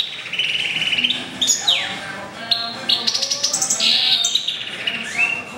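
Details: Indoor song from a goldfinch × canary mule born April 2011: bright steady trills, downward-slurred whistles and fast rattling chatter running continuously, canary-like, over faint background hum.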